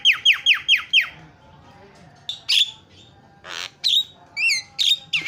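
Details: Javan myna in fast, lively song, used to provoke mynas into chattering: five loud descending harsh notes in quick succession, then a wheezy hiss and several sharp whistled downslurs.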